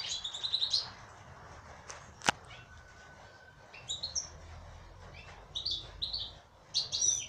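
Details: Twittering song of a female European goldfinch opens and closes the stretch, with a sharp click and a thin, level whistle in between, and sparse chirps elsewhere.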